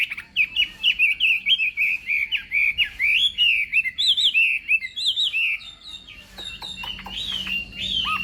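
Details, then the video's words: Chinese hwamei singing in the morning for contest practice, fast clipped whistled notes in a steady run, shifting to longer rising and falling phrases, with a faint low hum in the background. "Hoạ Mi Hót Đấu /hoạ mi hót sáng luyện giọng"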